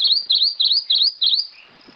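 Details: Singing Rufous-crowned Greenlet gives a run of five high, bright, wavering notes at an even pace, ending in near silence with faint background rustle.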